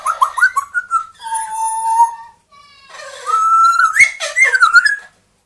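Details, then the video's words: Pet parrots, a two-year-old grey parrot and a one-year-old Amazon parrot, indoors, vocalizing: a run of short rapid harmonic notes, then a long steady whistle, a pause, and a rising, wavering whistled phrase with a sharp click. "quelques mot et bruitage des perroquets"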